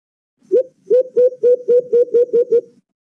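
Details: White-eared brown dove, or alimokon, on a trapping lure recording: nine hollow hoots, the first set apart, the rest coming about four per second in an even, low-pitched series.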